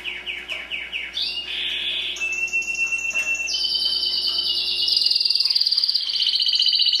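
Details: Timbrado canary, a domestic singer, in song: a run of repeated falling chirps, then rapid trilled rolls and a long high buzzy trill, all above the low range, with a faint steady hum beneath.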